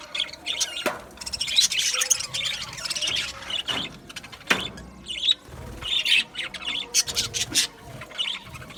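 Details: Budgerigar aviary colony: high chirps and squawks in bursts, broken by several sharp knocks or thumps and brief quieter gaps.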